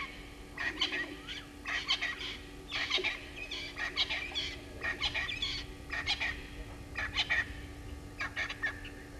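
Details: Geese at Gowrie dam waterhole, Djuma Game Reserve, Sabi Sand, South Africa, at 05:58 on 08/01/21, upset by a Verreaux's eagle-owl on the ground, give harsh, raspy honking bursts, roughly one per second, over a steady low hum.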